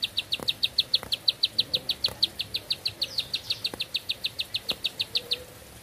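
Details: Bar-winged prinia singing a long, unbroken run in one breath: sharp high clipped notes repeated about five times a second for nearly six seconds, with a few faint low knocks in the background.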